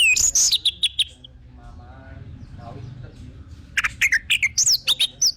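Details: Orange-headed thrush lure song: a falling whistled phrase with rapid chips, a quiet stretch of faint background sound, then a lively burst of varied high chirps and slurred whistles.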